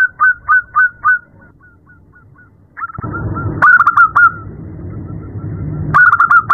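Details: At night, a female zebra dove calls to a male with quick, evenly pitched coos that fade into softer notes, then return louder over a rough noisy background.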